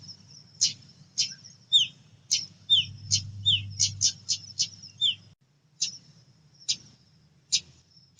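A female pied bushchat gives sharp, high chips, some followed by short down-slurred notes. They come about every half second, then thin out, over a faint low hum.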